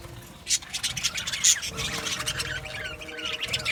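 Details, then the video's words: Budgerigars in an aviary colony, many birds chirping at once in a dense chatter of short high chirps and squawks, with no single caller standing out. "Budgies chirping sounds"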